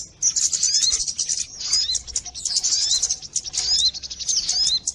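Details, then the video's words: Sogon birds used as a lure sound for catching birds: dense, high chattering chirps and short upswept whistles pour out almost without pause, several calls overlapping as from a flock, with brief gaps near the start. "mp3 suara pikat burung sogon"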